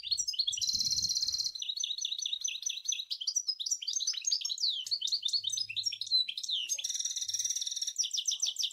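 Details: Continuous European goldfinch song from Sour El Gouzlane: an unbroken stream of tinkling twitters, nasal buzzy trills and quick rising and falling notes, with a short low rumble near the start.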